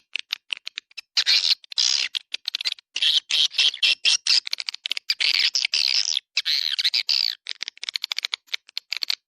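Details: Swiftlet calls in the 'Dua Bidadari' lure style, made to attract swiftlets in a central swiftlet area: dense bursts of harsh, buzzy twittering chirps packed closely together, interrupted by brief gaps, with no other sounds.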